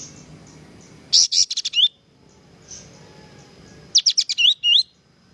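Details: Kapas tembak singing vigorously, recorded as a training song for cage birds. Two phrases of rapid sharp high notes each end in a whistled downward slur. A faint soft note falls between them.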